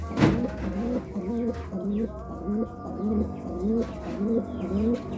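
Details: Pigeon cooing to court: a chain of short, low, rising-then-falling coo notes repeated nearly twice a second, opened by a sharp click, with a faint steady hum behind.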